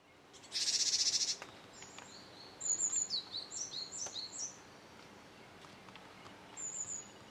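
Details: Japanese tit fledgling, a day after leaving the nest, perched in a nearby tree on a July 2013 morning as a parent brings food; a loud hissy burst opens, then a run of quick, high, thin chirps.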